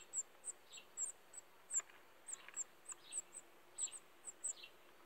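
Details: Black redstart (Phoenicurus ochruros gibraltariensis) brood giving thin, very high, sharp notes in an uneven stream, about two each second, with fainter lower chirps between them.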